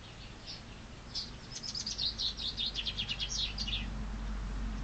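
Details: A chaffinch sings in spring, one accelerating run of sharp high notes lasting over two seconds, descending toward the end, with faint low background rumble.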